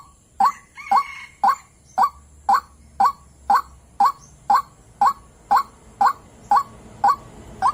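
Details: Lure recording of a female white-breasted waterhen calling to a male: fifteen clipped, rising notes spaced evenly about every half second, with a faint hum and hiss underneath.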